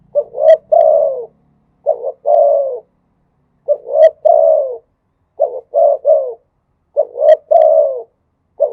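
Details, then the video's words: Spotted dove from Thailand singing in both khat and nun cooing styles: three-part phrases of two short hollow coos and a longer falling coo, repeated about every two seconds against a silent background. ""ทั้งขัด ทั้งหนุน" เสียงนกเขาใหญ่"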